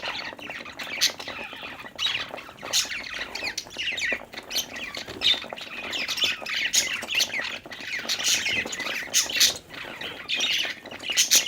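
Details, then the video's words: Cheerful budgerigars at play fill the air with dense, harsh squawky chatter and twittering, several birds calling together with frequent sharp accents. "budgie chirping sounds|happy budgies playing|cute budgie sound"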